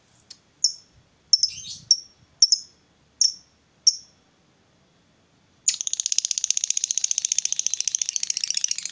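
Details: Female fighter lovebird, a bird used to provoke rivals: several separate sharp high chirps, a pause, then a dense, rapid, shrill ngekek chatter that runs without a break until the end.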